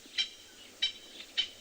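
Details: On a chilly winter morning safari on 25 June 2020 in the Greater Limpopo Transfrontier Park, South Africa, francolins alarm-call at something unseen, possibly a leopard: three short, harsh, scratchy bursts about every half second over a quiet background.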